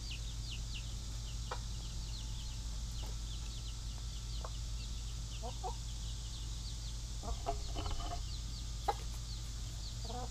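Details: Pet chickens: mother hens kept in the pen with their baby chicks while the other hens are out. Many high, thin, falling peeps repeat throughout, with a few short low clucks and a steady low hum underneath.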